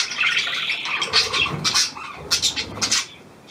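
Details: New hand-tame Australian pied budgerigar kept indoors, giving bursts of sharp chirps and short warbled phrases that fade to quiet near the end.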